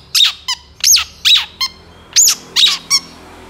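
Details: Long-tailed shrike song used as a master recording for training songbirds: harsh, sharp notes rising to high pitch, given in short bursts about every half second with brief gaps, quiet background.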